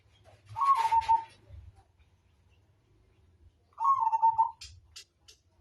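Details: Two rolling coo phrases from a Majapahit zebra dove, about three seconds apart, each starting a touch higher then leveling. A low hum runs beneath, with a hiss and a few sharp clicks near the end.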